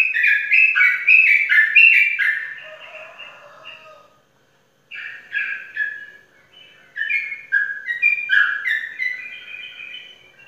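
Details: Caged champion sooty-headed bulbul from Pemalang, Indonesia, singing in bursts: a dense burst of quick whistled notes, a fading trail, a full pause, then two more lively phrases of bright chattering whistles.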